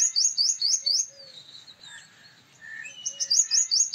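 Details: Male Purple Sunbird with fast runs of high, metallic ringing notes at start and end, separated by a pause filled with soft whistles from other birds.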